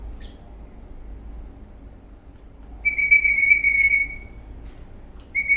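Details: After a couple of faint chirps, an eastern rosella dancing in a cheerful mood sounds one long, clear, steady whistle, and a second whistle begins just at the end.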